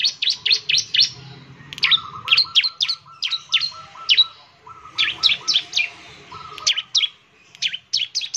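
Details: Bar-winged prinia song for encouraging other birds to sing, with bursts of sharp, high, falling chirps in quick clusters and a softer lower rattling series running beneath between phrases.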